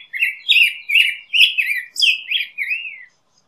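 A Black-headed Grosbeak sings a quick run of about seven rich, warbled whistled phrases that rise and fall over three seconds, sweet and robin-like, with nothing else heard.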